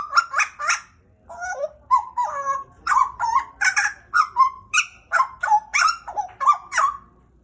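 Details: Energetic singing by a pet pied butcherbird from Papua, Indonesia, owned about two years: rhythmic series of mellow, slurred notes and clicky accents, repeated roughly every half second.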